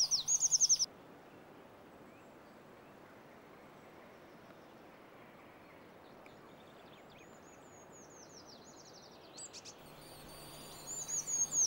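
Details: Eurasian treecreeper (Certhia familiaris) singing while foraging in Sweden: very high, thin phrases of quick notes that slide downward open and close the recording, with a quiet stretch between.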